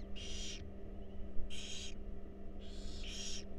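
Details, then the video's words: Owlets of wild barn owls being fed in a nest box: three loud breathy hissing bursts, the last two overlapping, with a low steady hum behind. "Barn Owl Babies Enjoy A Delicious Meal"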